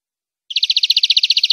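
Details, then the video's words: European greenfinch song used to tutor captive birds: a fast, regular trill of about seventeen bright, evenly spaced notes running for just over a second, with no background noise. "Nuevo CD limpio para educar verderones"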